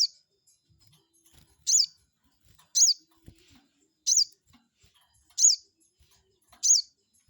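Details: Provoking lure call of a crested jay, aimed at making a rival respond: six sharp, high, down-slurred chirps spaced a little over a second apart, with faint background clicks.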